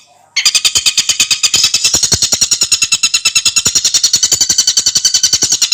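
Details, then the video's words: A kingfisher (tengkek buto), recorded as song-training material, gives a fast, steady series of sharp, high chattering notes, several each second, running without pause; nothing else is heard. "kicauan burung tengkek buto"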